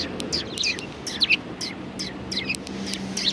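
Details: Several sparrows gathering for food at a Tenmangu shrine on 6 March 2020 give short, bright chirps in quick, overlapping bursts, rising and falling sharply, over a low, steady background hum.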